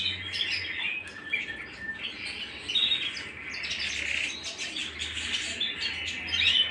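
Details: Canary song recorded at home: a busy, uneven run of bright chirps, twitters and short trills, rising and falling in loudness, with a soft low hum beneath.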